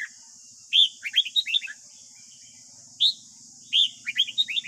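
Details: Red-whiskered bulbul morning song, played each morning to train a young wild-caught captive bird: two bright phrases of quick whistled notes, about three seconds apart, over a steady high hiss.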